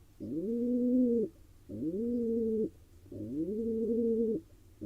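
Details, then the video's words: Male pigeon cooing to court a female inside a nest box in Israel shared by wild barn owls, pigeons and mynas; three long, even coos that rise then hold steady, spaced about one and a half seconds apart. "Pigeon male courts a female"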